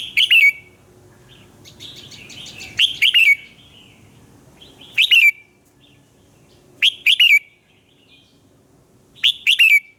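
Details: Morning song of a red-whiskered bulbul in fired-up form: four bright phrases of rapid, liquid whistles sliding downward, each phrase roughly two seconds apart, with a quiet low rumble underneath.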